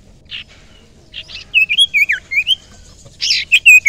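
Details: Young wild common iora, used as a lure bird, giving loud wavy whistled notes that slide up and down, mixed with short buzzy chirps, in quick bursts over a quiet background.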